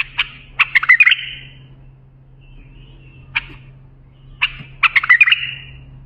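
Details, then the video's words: A bulbul sings a song used for tutoring young bulbuls: two bursts of rich, bubbling, warbled song about four seconds apart, with a few single sharp notes between, over a steady low hum. "بلبل للساناته إبداع يفيد للتخريج صغار بلابل"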